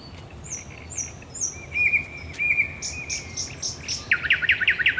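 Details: Thrush nightingale in nocturnal song, Raszyn Ponds, Poland, 10 May 2021. High whistled phrases and a drawn-out trill give way to a burst of rapid, rhythmic clacking notes at the end.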